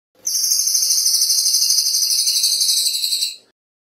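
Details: Cililin bird song used as a training recording, described as fast and dense with a clear voice: a continuous high, buzzy trill lasting about three seconds, finely pulsed, with no other sounds.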